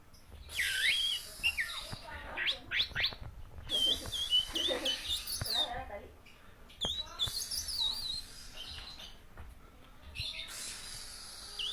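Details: Orange-headed thrush singing in the 'teler' style: varied warbled and whistled phrases with rapid wavering notes and sharp chirps, rising and falling in bursts, over a steady background hiss and scattered clicks.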